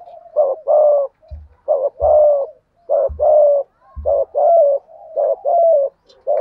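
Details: Spotted dove cooing in the urging style used to lure wild doves: repeated mellow paired coos, a short note then a longer one, roughly every second, with occasional low thumps between phrases.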